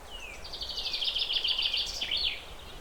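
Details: Zebra finch perched; opens with a falling whistled slur, then a fast burst of buzzy, harmonic nasal notes repeated in a chattering run.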